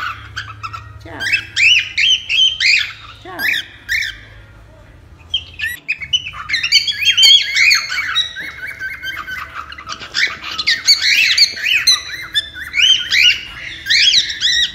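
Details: Cockatiel used for taming a pet bird: a run of rhythmic squawky chirps, a brief quiet gap, then a dense, chattering stretch of high twittering, squawks and whistles, with low hum early on.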